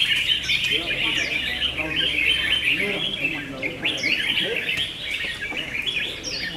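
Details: Red-whiskered bulbuls in a singing battle competition (round 6) give a dense, bubbly chatter of quick overlapping chirps and short whistled phrases, several birds seemingly singing at once, with faint human voices behind.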